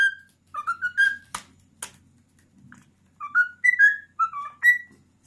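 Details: Indoor pet cockatiel, male, ten years old, whistling the Addams Family theme tune: short melodic whistles, two sharp clicks and a soft low rustle in a pause, then another run of rising and falling notes.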